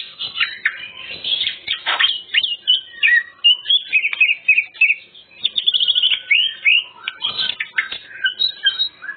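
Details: Greater green leafbird in lively full song used to attract other birds: continuous rapid chirps, trills and slurred whistles with few pauses.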